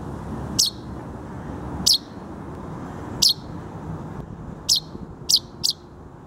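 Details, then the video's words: A Common chaffinch chick gives six thin, very high, sharp chip notes, spaced about a second apart and then closer together, over a low background rumble. "Птенец зяблика"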